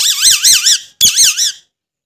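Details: Talking Alexandrine parakeet giving two shrill, wavering squeaks, each rising and falling in pitch about four times like a tiny siren, with a brief gap between them and silence after.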